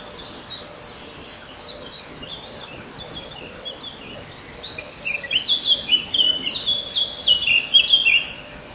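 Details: Inside a common kingfisher nest at 07:57 on 12 May 2013, the male arrives to feed while the female leaves. After quiet rustling, a lively stream of high piping whistles rises and falls in the second half.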